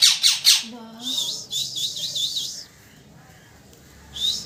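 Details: Parrot chirping very loudly: a burst of three harsh descending chirps, then a run of wavering whistled notes and a low hum, a pause, and one more rising whistle at the end.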